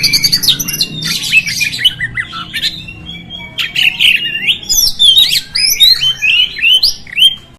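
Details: Oriental magpie-robin song intended to provoke rival magpie-robins: continuous varied warbling with scratchy chatter, slurred whistles and upward sweeping notes, over a faint low background hum.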